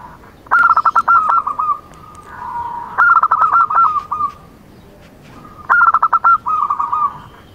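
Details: Local zebra dove, a perkutut performing its full song: phrases of rapid clipped notes near one pitch followed by a drawn-out rolling coo, repeated about every two and a half seconds, three phrases heard.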